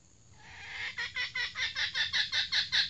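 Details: Female red junglefowl, a newly trained decoy, opens with a drawn note and breaks into rapid harsh cackles, around three per second, growing steadily louder.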